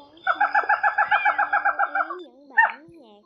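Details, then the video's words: Slaty-legged crake (gà nước họng nâu) giving a run of about fourteen quick, nasal, barking notes, roughly four per second, then a single louder note, over a low droning hum; a recording used as a night net-trapping lure. "Tiếng Bẫy Gà Nước Họng Nâu"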